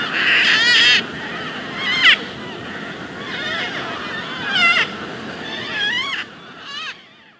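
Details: Philippine Red-vented Cockatoo (Cacatua haematuropygia) giving harsh, raspy screeches, about five squawking bursts spaced one to two seconds apart, over a soft background hiss.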